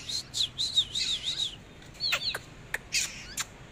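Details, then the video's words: Oriental magpie-robin in dancing display, delivering a string of looping, wavering whistles for about a second and a half, followed by sharp clicks and rasping harsh notes. "chòe than múa hót"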